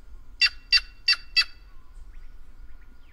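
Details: Four loud, rasping notes in quick even succession, about three per second, from a White-naped jay (Cyanocorax cyanopogon), bird of the Brazilian caatinga, then faint soft chirps.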